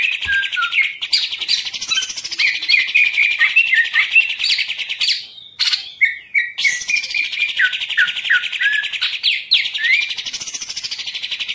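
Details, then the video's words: A long, dense, scratchy warble from a caged green leafbird, rich in fast twitters and rising and falling whistles, interrupted by two brief pauses. "Cucak Ijo Salto jadi Anteng Lagi"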